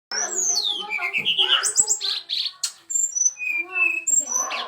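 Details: Brown-chested jungle flycatcher song: clear whistled notes, some sliding down and others rising, mixed with quick high chirps in a varied, fast run, with human voices talking underneath.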